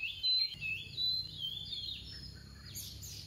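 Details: Female oriental magpie-robin kept as a soft-voiced decoy, singing in the tìu tíu tiu style: a few high whistled phrases with slurred notes in the first second, then faint twittering over low background hum.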